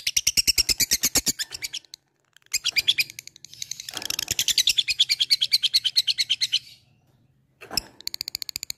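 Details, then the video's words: Fighter labet calling an opponent with 'ngetik ngekek' chatter: loud rapid runs of high ticks broken by short pauses, with a fuller, buzzier stretch in the middle. "LABET memanggil lawan | ngetik ngekek"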